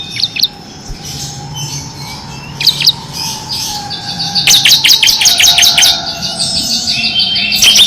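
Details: Bar-winged prinia, kristal type, used as a training master for competition birds: a few isolated high chirps and a steady faint tone, then a rapid, even trill of sharp high notes in the second half.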